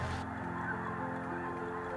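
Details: A large flock of snow geese at Freezout Lake, a glacial wetland in Montana, stops over on spring migration north. A dense chorus of many overlapping nasal honks and yelps, possibly over a faint musical bed.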